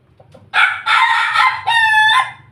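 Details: Pelung rooster giving a laughing crow while feeding. A few soft clucks, then a loud, rich crow in three long drawn-out sections, the last held steady before fading.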